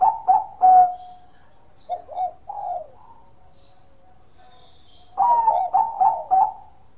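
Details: Perkutut, a Bangkok-type zebra dove, sings in the 'kong' style: a burst of rapid, mellow coos, a pause of about two seconds, then another quick rolling phrase of resonant notes.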